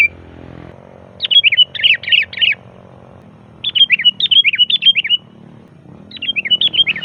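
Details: Sooty-headed bulbul in loud, varied song, used as a lure to call wild bulbuls: three fast bursts of warbled, bouncing notes, each about a second long, over a low steady background hum.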